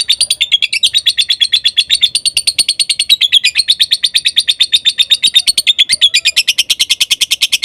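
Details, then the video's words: Lovebird song used as a master recording to provoke stalled lovebirds to sing, stir their emotions, and teach young birds learning to vocalise; a dense, rapid run of high chattering notes, about three per second, building into a fast trill at the end. "Masteran Suara Lovebirds Konslet,Lovebird Yang Denger Di Jamin Langsung Nyaut"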